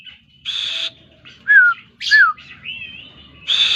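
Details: Oriental magpie-robin song made of separated phrases: harsh buzzy bursts alternating with clear downslurred whistles and a wavering whistled note.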